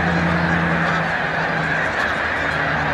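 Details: Short burst of a migrating snow goose flock taking wing at Montezuma, New York, March 2022; dense yelping honks pour together into one noisy chorus over a low steady tone.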